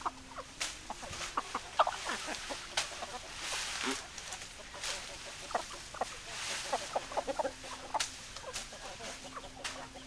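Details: Chickens cluck in short, uneven notes among sharp clicks and knocks, with a faint steady low hum in the background.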